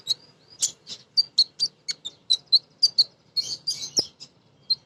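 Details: Chattering female sunbird kept as a lure for untrained birds, giving rapid high chirps almost once a second, some sliding downward, ending in a denser scratchy twitter.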